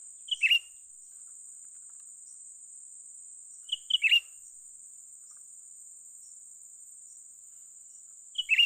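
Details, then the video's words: Young cucak ranting bulbul calling during trapping, with three short phrases of two or three bright whistled notes each, one roughly every four seconds, separated by silence apart from a constant high hiss. "memikat burung cucak ranting muda mantap"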